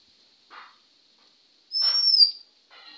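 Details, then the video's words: Male Oriental magpie-robin whistling near a house in India at 1:12 PM on 20 May 2021; a single bright, high, slightly rising whistle with a steady high background hum. "দোয়েল পাখি শিস দিচ্ছে।Sound of Oriental magpie robin in India"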